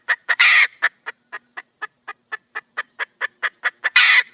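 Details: Female wild junglefowl calling to find a male: harsh clucks with a loud drawn-out squawk near the start, then a regular run of short notes ending in another loud, rasping squawk.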